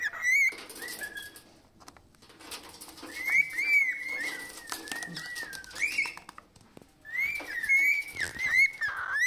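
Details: Pet parrot whistling in a happy mood indoors: wavering tonal whistles near one pitch, sliding up and down in long phrases with short gaps, some faint higher chirps between.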